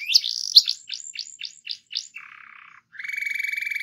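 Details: Canary rolling song meant to prompt other canaries into singing: sharp downslurred notes repeated rapidly, a short buzzy low trill, then a smooth fast rolling trill to the end.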